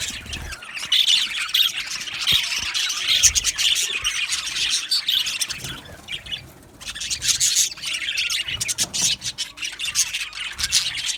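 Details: Many budgies in an aviary colony, Australian parrots, keeping up loud continuous chirping and squeaky warbling, the chorus briefly dipping around the middle then resuming.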